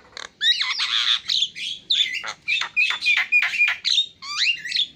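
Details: Javan myna giving loud squawking song, rasping notes alternating with sharp whistled slurs and clicks in rapid, irregular bursts.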